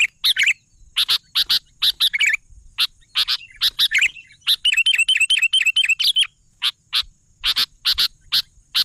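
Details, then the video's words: Sooty-headed bulbul in full song: a steady run of sharp chip notes, broken midway by a rapid, rhythmic warbled trill lasting over a second, then more evenly spaced chips. "suara burung kutilang gacor"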